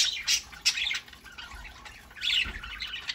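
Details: Indoor budgerigars on a Saturday morning, chattering in quick high, scratchy chirps and squeaks, with a brief pause in the middle before the chatter picks up again.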